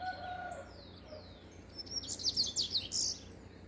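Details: Double-collared seedeater delivering a quick, high, rattling song phrase of sharp twitters near the end, preceded by faint sliding whistles and a low whistled note from other birds.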